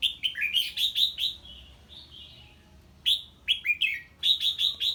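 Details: Red-whiskered bulbul singing hard when an unfamiliar bird is heard: fast runs of bright chirping whistles, several notes a second, in two bursts split by a softer wavering phrase.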